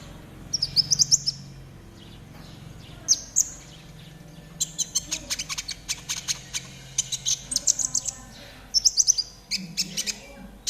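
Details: Konin trotol song for tutoring caged birds to sing. Rapid bursts of high, buzzy, clicking trills and sharp thin notes follow one another densely, with short pauses between phrases, over a faint low hum.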